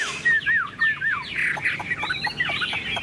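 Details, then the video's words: Tame caged Chinese hwamei singing tirelessly: a run of loud slurred whistles rising and falling around the same pitch, each note arching then dropping, repeated almost twice a second, with softer chirps and buzzy notes toward the end. "Họa mi đẳng cấp, chim thuần, hót như 1 cái máy"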